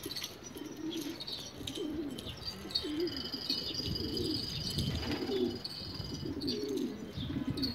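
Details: Several rare Australian pigeons coo together in low, rolling, overlapping phrases. A thin high ringing tone runs through the middle, with scattered clicks and rustles.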